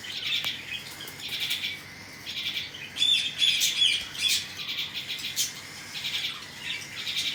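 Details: Cockatiel chicks being fed by their parents: bursts of harsh, buzzy high chirps repeating rapidly, about two or three a second, with short clear whistled notes near the middle and small clicks between bursts.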